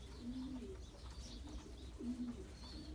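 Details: Racing pigeons from champion long-distance bloodlines give two soft, low, slightly rising coos about two seconds apart over a quiet background rumble.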